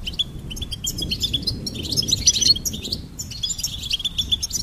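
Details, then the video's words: Goldfinch song: a twittering run of chirps building into a rich buzzy flourish, a brief pause, then more repeated twitters over a low background murmur. "Charming Goldfinch Peep"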